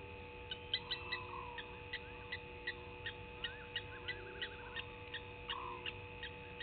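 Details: Barred owlet calling at night, 02:40, beside a waterhole on a game reserve in the Sabi Sand, South Africa, 20 March 2019; faint purring, trilled notes over a steady electrical hum, with sharp clicking ticks repeating throughout.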